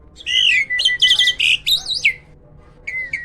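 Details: Hybrid myna kept at a breeding farm giving a loud song: strident whistled notes sweeping between mid and high pitch, burry squeaks and a slurred falling phrase, then a brief whistle after a pause.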